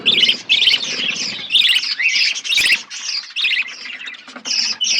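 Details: Budgies kept in an outdoor aviary, several birds calling together: rapid scratchy chirps and warbling chatter in short bursts about twice a second, with faint low background hum.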